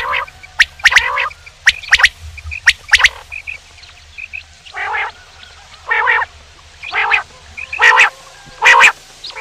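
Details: Calls of a male common quail: clusters of sharp high clicks in twos and threes, followed by regular nasal, buzzy bursts roughly once a second.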